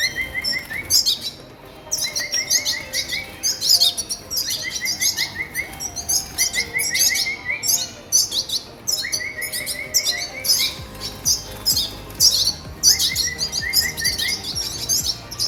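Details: Red siskin chicks being fed during breeding: short rising buzzy notes in quick runs of five or six, repeated every two to three seconds, over a constant chatter of high, sharp chirps.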